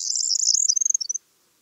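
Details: Corn bunting song ending: a bright, high jangling trill that breaks into a few quick separate chirps and stops after just over a second, then silence.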